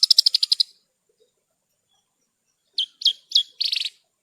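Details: Training song of a branjangan, or Horsfield's bush lark: a rapid buzzy rattle of about eight notes, a pause, then three sharp down-slurred chips and a short buzzy burst.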